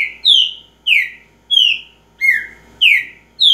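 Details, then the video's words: Repetidor-style song of a green-winged saltator: six rich whistled notes, each bright and falling in pitch, repeated at an even pace of about one every half second, with no other sounds. "Trinca ferro repetidor"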